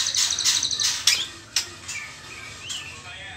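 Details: White-rumped shama youngster at the trotol stage, not yet pastol, opening with fast high pulsed trills broken by sharp snaps, then fading to a few soft, thin rising whistles over a quiet background.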